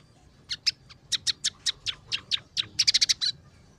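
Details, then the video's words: Scaly-breasted munia song with filler notes from tree sparrow, red siskin and canary. Loud, sharp chirps come every few tenths of a second, then tighten into a quick cluster before stopping. "masteran burung emprit peking gacor 008"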